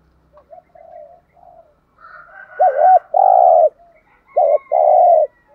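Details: Caged decoy spotted dove calling to draw in wild doves. Soft, low murmured notes lead into two loud phrases, each a short wavering coo followed by a drawn-out hoarse coo. A faint high tone runs behind them.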